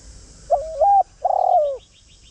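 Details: Spotted dove used as a lure, cooing to draw in wild birds: a wavering two-part note followed by a long, throbbing, downward-sliding coo. Faint high chirps of another bird and a low rumble behind.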